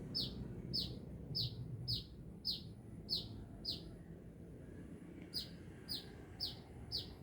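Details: Busy sunbird near Binjai repeating bright, high chirps that fall in pitch, about two per second, pausing briefly midway before resuming, over a quiet low hum.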